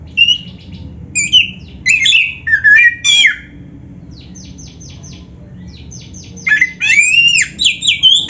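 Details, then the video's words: Oriental magpie-robin singing vigorously with dense filler phrases, in bright whistled and chattering bursts, then a quiet gap of rapid dry ticking series before loud varied whistles return. "Kacer gacor full isian RAPET"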